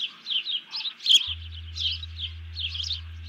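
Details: On 31 July 2020 a bald eagle alerts after grabbing a fish as another eagle flattens itself. Shrill, piping notes come roughly every half second, with one louder sharp note and a background hum.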